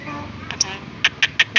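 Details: Javan myna kept as a talking bird, mimicking speech: after a few soft clicks comes a run of four short, sharp, evenly spaced syllables, each a harsh burst in quick succession.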